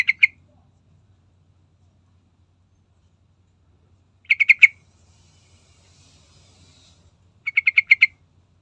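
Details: Sooty-headed bulbul recording used as a lure to get other birds singing: short bursts of three to five bright, clipped notes, repeated roughly every three and a half seconds, over a faint low hum.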